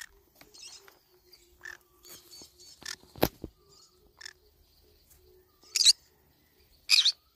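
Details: Green-cheeked conure nibbling banana leaves: soft chatter, ticks and scattered short notes, then two louder harsh screeches about a second apart at the close.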